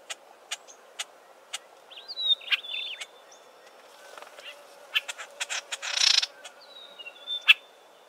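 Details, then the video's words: Several Southern Tchagras in a thick clump of Acacia trees, possibly a territorial dispute or juveniles (recordist unsure): sharp ticking clicks about twice a second, mixed with short high whistled slurs and a brief harsh rasping burst. "Some interesting Southern Tchagra vocalisations"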